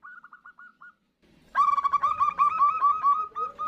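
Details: Female zebra dove calling the male, from a compilation of answering calls used as a lure. A short, soft run of quick clipped notes, a pause, then a louder, denser, ringing series of rapid notes over a faint background hum.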